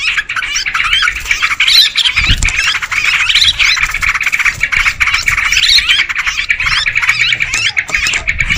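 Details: Sooty-headed bulbuls in a noisy lure recording, a dense, continuous chatter of squawky, twittering calls overlapping without pause, with scratchy trills and short rising notes throughout.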